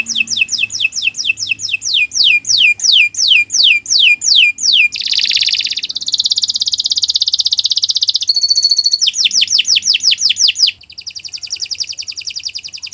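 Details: Canary song intended as a master for other birds, beginning with evenly spaced downward-swooping whistles, then a buzzy continuous roll, sharp high pips, fast trills and a softer final rattle.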